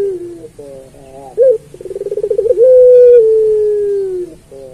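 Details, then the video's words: A puter pelung turtle dove sings its master song for training other doves. Wavering low coos lead to a sharp short note, then an accelerating pulsed trill and a long, gently falling held coo. "Suara Burung Puter Pelung Masteran"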